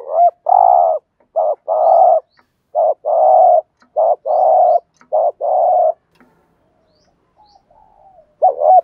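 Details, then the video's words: Spotted dove cooing in the 'gáy thúc gù' style used to stir decoy birds. Loud paired phrases, a short coo then a longer one, repeat about five times in steady succession, followed by a pause with soft murmurs. "cu gáy kích bổi nhanh nổi và hiệu quả, tiếng chim cu cườm gáy thúc gù bài bản/ cu đất gù đấu"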